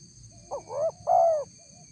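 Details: Single coo phrase of a spotted dove, played to provoke wild doves to answer. Two quick rising notes lead into a drawn-out, slightly falling hollow coo, over a faint high electronic whine.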